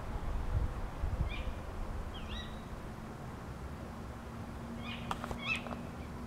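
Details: Early-morning tawny owls (Strix aluco), 28 November 2011, back garden in Beek Ubbergen, the Netherlands: thin, sharp calls spaced apart, then a tighter burst near the end with a few dry clicks, beneath a constant low background hum.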